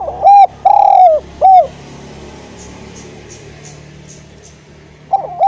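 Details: Eurasian collared dove, kept as a chatty tutor bird to encourage spotted doves to call, sings one low three-note coo sequence with a long central note, then a pause before the next phrase begins.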